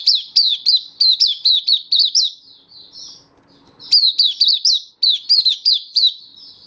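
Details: Oriental white-eye (mata puteh) in a happy open-singing song display, February 2023: rapid bursts of high, sharply downslurred chirps, each sliding down in pitch, strung into fast runs with a short softer, quieter break between bursts.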